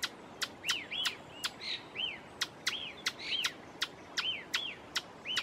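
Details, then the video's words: Ochre-flanked tapaculo (Eugralla paradoxa) singing in Pumalín Park, Los Lagos Region, Chile; sharp clicking notes alternate with short arched whistles, about two per second in a steady series, over faint background hiss. "El canto del Churrin de la mocha"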